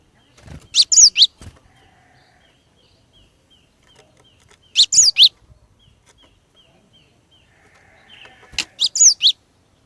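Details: Female Cinereous tit song used as a lure to make males sing: three bursts of very high, sharp, twittering notes about four seconds apart, with a soft wing-flutter or tapping sound early on.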